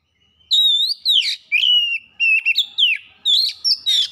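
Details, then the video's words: Song of an oriental magpie-robin, a continuous run of clear whistled notes, some gliding down, others level, punctuated by scratchy harsh bursts, about a dozen phrases in four seconds. "KACER CEPAT GACOR"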